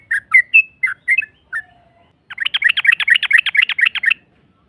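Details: Yellow-vented bulbul ropel lure to provoke a rival into replying: several bright slurred chirps, a faint low whistle, then a fast, rattling trill of about fourteen notes.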